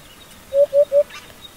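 An African hoopoe gives three soft, hollow, low 'hoop' notes, evenly spaced and quickly delivered, with a faint scratchy sound just afterward.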